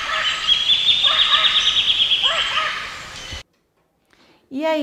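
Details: Brazilian Red-tailed Amazon, archive recording played in class: a buzzy, trilled squawk with arched harsh notes, a sudden gap of silence, then one loud descending harmonic call.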